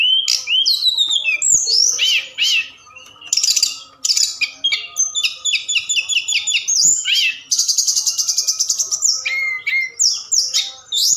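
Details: Night-time forktail lure call that prompts other birds to join in singing. A long, varied medley of sharp chirps, harsh bursts and rapid repeated trills, constant and loud throughout.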